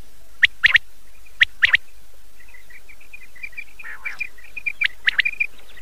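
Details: Common quail calling at night, taken from an old cassette: short clipped notes in quick pairs and triplets, with sparse bursts early on, then a run of softer chirps toward the end over a steady hiss.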